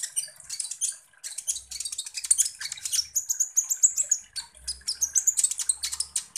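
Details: Sunbird (kolibri ninja) singing as a lure to provoke other birds: dense, rapid high-pitched chirps and thin twitters, with short sweeping whistles around the middle and a faint low rumble underneath.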